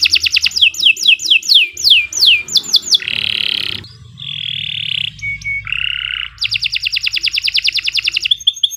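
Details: Canary singing a long masteran song: quick falling whistles, buzzy low phrases, a clear flat whistle, then a rapid loud rattling trill.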